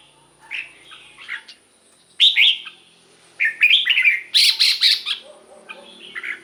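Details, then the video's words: Red-whiskered bulbul song, played for decoy use or to excite caged birds: bright, chirpy warbled phrases that jump up and down in pitch, delivered in quick bursts with short gaps. A loud rapid cluster comes near the end. "เสียงนกกรงหัวจุก สำหรับต่อ หรือ เปิดให้นกคึก เสียงเพราะๆ"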